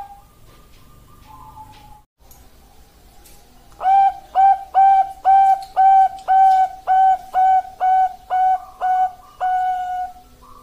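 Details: Bangkok-type zebra dove, a female calling to a male: after a faint opening, a steady run of about a dozen short, even, hollow cooing notes repeated roughly twice a second, level in pitch, with a slightly longer final note.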